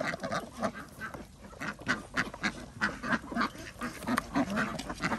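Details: Many ducks on a village duck farm in Andhra Pradesh during feeding, with rapid, continuous quacking at moderate distance, several calls per second blending into a busy chatter.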